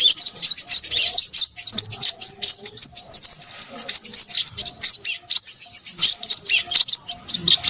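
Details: Busy, noisy Crimson sunbird singing: relentless very high twittering and sharp tinkling chips for nearly eight seconds, delivered in quick, closely packed phrases.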